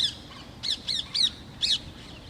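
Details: A bulbul in countryside trees in the morning gives short, harsh, chattering notes: four quick bursts within about a second, each high-pitched and slightly scratchy, over faint outdoor background.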